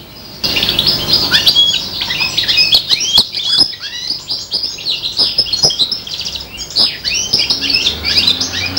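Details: A five-month-old serin x bronze canary hybrid mimics goldfinch song, launching after half a second into a continuous, rapid tumble of high tinkling notes and quick trills that never stops.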